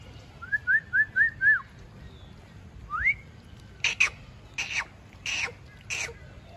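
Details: Pet talking parrot producing five quick rising whistled notes, a pause, a single sharp upward whistle, then four harsh, noisy squawk-like bursts spaced about half a second apart.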